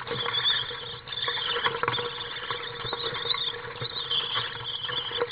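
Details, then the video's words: Two juvenile common swifts in a nest box on a house during a chaotic feeding on 15 July 2015 keep up a continuous, high, scratchy twittering with squeaks, over steady rustling and scraping close by. "Chaotische voederbeurt Gierzwaluwen"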